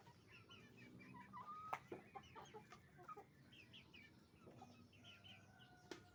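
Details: Farm flock of roosters and hens making noise: scattered quick clucks and higher squeaky notes, a short flat whistle-like call, and a few sharp clicks or knocks over a low background hum.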